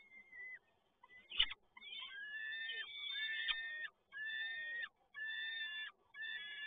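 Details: Peregrine falcon during a prey delivery by the male at PGE Toruń, Poland, 7 May 2022: repeated harsh, drawn wails lasting about a second each, separated by short silences, with one sharp knock early on.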